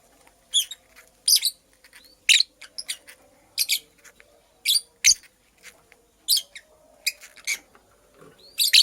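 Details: Female purple lovebird busy making a nest: short, sharp, high chirps spaced roughly every half second to second, some in quick pairs, over a quiet background with a faint steady hum.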